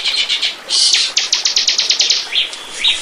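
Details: Bar-winged prinia song used as a lure recording to attract birds: quick bursts of high, sharp ticking notes, a rising slurred phrase, then a fast evenly spaced run of clipped chips ending in two short upswept notes.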